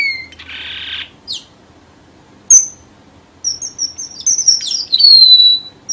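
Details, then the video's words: Red avadavat lure song for trapping: a harsh buzzy rasp and a quick upward sweep open, a crisp high chip follows, then a rapid chain of thin whistles descending to a drawn-out falling note. "TIẾNG CHIM HOA MAI ĐỎ MỒI CHUẨN"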